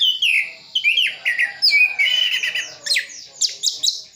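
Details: Orange-headed thrush kept in East Java, Sidoarjo, pouring out a full mimicry-filled song: sweeping whistles sliding downward, then high sharp chips and buzzy notes in quick succession.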